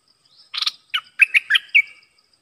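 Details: Red-whiskered bulbul of the dok taeng type, used as a decoy to lure wild birds, recorded 12 September 2021: a burst of rough chirps, then a run of four clear, bright, bubbling whistled notes ending in a short level trill.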